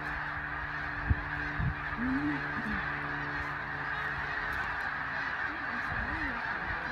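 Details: Snow geese in a large migrating flock taking off at sunset give a constant wash of high, nasal honks, a few rising clearly above the roar, with a person speaking briefly.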